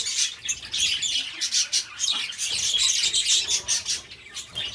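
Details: Pet budgies chatter in a steady, dense twitter of scratchy high chirps and squeaks, rising and falling in short surges, with faint soft lower sounds beneath.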